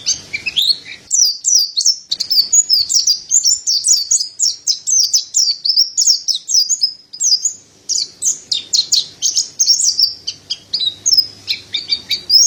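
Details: Extended, dense song of a Mountain white-eye: an almost unbroken torrent of high, quick, slurred chirps and twitters, with faint low hum in the background.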